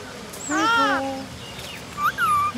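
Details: Rose-ringed parakeet letting out a harsh, buzzy, arched squawk, then brief whistled notes, with a person talking nearby.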